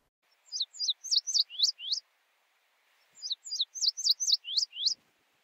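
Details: Indigo Bunting singing in spring, central/eastern United States: two bright, high phrases of sharp paired notes like 'fire fire, where where, here here', each about a second and a half, with faint background hiss.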